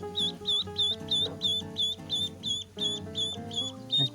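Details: Native Philippine itik duckling, whose call is said to be slightly hoarse compared with a pato duckling's: a quick series of high piping notes, roughly three per second, fairly regular, with music playing underneath.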